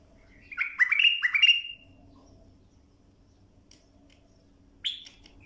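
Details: Bulbul song for teaching young birds to sing: three loud, bubbling, upslurred phrases delivered rapidly, then silence, then a single bright note about three seconds later.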